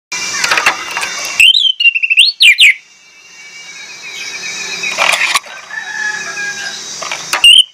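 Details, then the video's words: Orange-headed thrush singing a lure song full of mimicked phrases: a short burst of loud whistled, slurred notes in the middle, set between stretches of hissing background noise and faint distant chirps. "PANCINGAN ANIS MERAH PLONG NGOTOT BONGKAR ISIAN"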